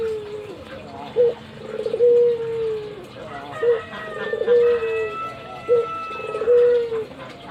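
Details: Three rounds of coos from a nodding pet albino Barbary dove, each a brief rising hoot followed by a long, steady note that drifts downward, spaced about two seconds apart.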